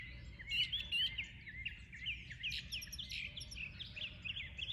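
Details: Morning chorus of birds: continuous quick chirps and twitters, short sharp notes tumbling over one another, with occasional very high ticks and a soft low rumble underneath.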